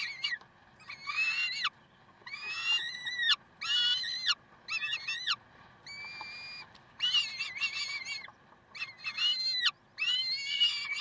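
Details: Peregrine falcons in Karlsruhe, 30 May 2010, 7:27, calling in a busy series of about nine harsh, nasal notes of varied length, some choppy and rattling, one steadier thin note midway, separated by short gaps.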